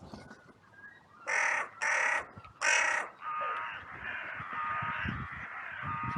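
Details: Outcry of crows in a sunny cemetery following a fight between two birds: three loud, strained, high caws followed by a continuous chorus of lower harsh caws from many crows.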